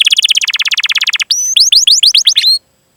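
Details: Canary song used to trigger singing in untrained or silent canaries. A rapid pulsed trill lasts just over a second, then sharp upswept chirps follow before the bird falls silent.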